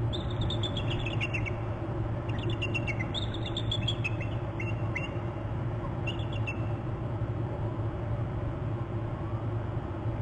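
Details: Bald eagle alert calls at a Hornby Island nest territory on January 26, with the male off the nest inland before a chase. Several bursts of shrill, rapid chittering notes that fall in pitch, over constant low rumble.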